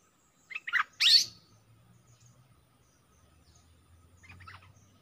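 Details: Caged decoy Streak-eared bulbul calling wild birds that fly around it without landing: two loud, sharp chirps in quick succession, then silence and a few faint distant notes.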